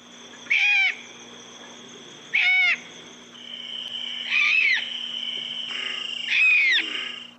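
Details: Owl giving four short, harsh, arched screeching calls, spaced roughly two seconds apart, the later ones longer and rougher, over a steady low hum.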